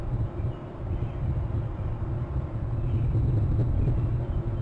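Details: Steady low engine-like rumble of passing traffic, with no animal calls audible.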